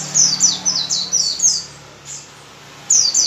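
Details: White-eye song used to make white-eyes sing: a fast series of very high, thin, downward-slurred whistled notes, about eight in the first two seconds, a brief pause, then two more notes.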